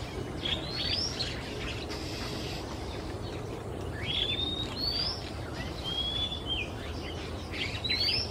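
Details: A male Oriental magpie-robin in Singapore sings in the quiet of the afternoon, flying from perch to perch. He gives clear, sweet whistled phrases, several rising sharply, in short bursts every second or two, some punctuated by screeches, over a low rumble.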